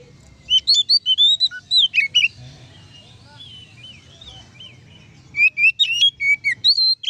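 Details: Loud ngeplong song from an oriental magpie-robin, intended to provoke rival magpie-robins. Two bursts of rapid whistled and chirped notes, each about two seconds long, are separated by a quieter stretch of softer warbling notes.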